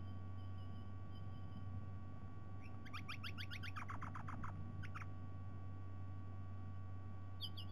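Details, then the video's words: White-bellied sea eagle at a nest camera in Sydney Olympic Park, Australia, with intruders present and live fish brought for breakfast; a rapid burst of clipped, sharply descending notes runs for about two seconds, then brief high notes, over a steady low electrical hum. "Sydney White-bellied Sea-Eagle - Bieliki Białobrzuche - INTRUZI i ŻYWA RYBKA NA ŚNIADANIE"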